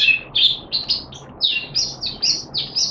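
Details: Kept Malaysian Oriental white-eye (mata puteh) in happy 'buka' singing on 25 February 2023: a steady stream of sharp, high chirps and short downslurred whistles, about four per second, with a faint low hum underneath.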